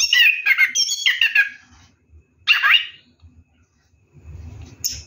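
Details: Night-time singing from a bathing orange-headed thrush: a burst of rolling, descending whistled notes, a pause, one more short rich phrase, then a faint high note amid low background noise.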